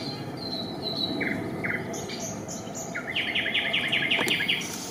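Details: Eurasian coot family nest with young, Raszyn, Warsaw, Poland, 4 May 2024; two brief double notes, then a steady burst of about eight short, sharp calls, layered under high whistles and a single click.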